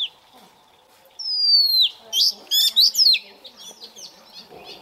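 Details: Young Oriental magpie-robin warming up its voice at morning, starting after near silence with a long, smoothly falling whistle, then a cluster of loud varied notes fading into soft chirps.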